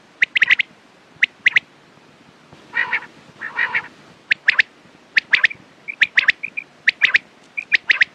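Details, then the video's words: Quail triplets, sharp and rhythmic, one note then a fast pair, repeated throughout with soft short whistles between; two lower, nasal, honking calls interrupt near the start. "Quails sound best sounds use morning and night time mast awaz saaf awaz"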